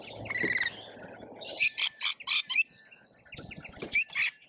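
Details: Lorikeets in a feeding frenzy at a feeder in Australia, filmed by a feeder camera: a run of five harsh, shrill screeches in quick succession, with softer chatter before and after and low knocking at the start.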